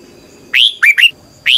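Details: Red-whiskered bulbul (Pycnonotus jocosus) training song used to stimulate caged birds to sing: four bright, rich whistled notes in quick succession, each sweeping and slurred, with a short pause before the last; otherwise quiet.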